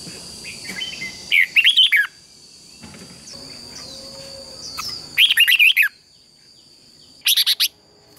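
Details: Red-whiskered bulbul giving competitive song used as lure calls: three short, sharp chattering bursts spaced a few seconds apart, the last higher and thinner, with soft faint chirps and a constant high whine between.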